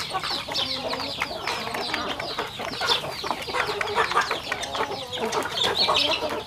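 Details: Many home-raised rural chickens feeding, giving a busy stream of thin, downward-sliding cheeps that come in irregular bursts over constant scratching and pecking sounds.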